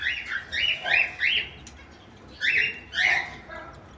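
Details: A grey cockatiel breeder pair in the morning; a cockatiel gives harsh, rasping chirps in quick bursts, each note sliding up then down.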